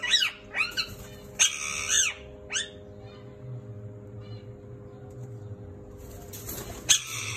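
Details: Turquoise parrot kept at home as an ornamental bird, giving sharp, high, bright chirps in rapid bursts over the first three seconds, then a quiet stretch with a low hum, and a loud chirping burst near the end.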